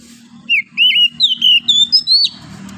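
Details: Wild forest oriental magpie-robin singing in the morning: a string of about seven loud, clear whistled notes, some slurred up or down, climbing overall from mid to high pitch over under two seconds, against a quiet background.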